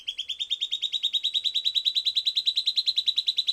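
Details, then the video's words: Rapid rhythmic song of a silvered antbird (Sclateria naevia) after playback, a continuous chain of bright, sharp whistled notes repeated steadily at about six per second, slowly rising in pitch over three and a half seconds. "Silvered Antbird Sclateria naevia Singing"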